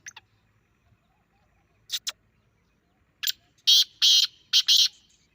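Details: Grey francolin calls played to a pet francolin to provoke its reaction: after two faint chirps, a run of five loud, harsh, buzzy notes in quick succession, each under half a second, in a quiet rural setting.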